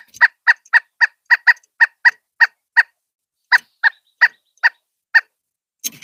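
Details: At a bird feeder, a Pileated Woodpecker calls as a person approaches, giving loud, hollow 'kuk' notes about three per second, pausing briefly midway before resuming; a short scuff ends the recording.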